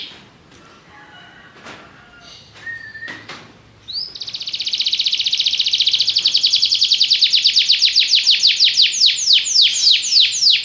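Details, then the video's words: Belgian canary song opening with scattered soft chips and a brief whistled note, then breaking into a long, fast, buzzy trill of high repeated notes that slows into distinct descending sweeps near the end. "espetacular canto canário belga"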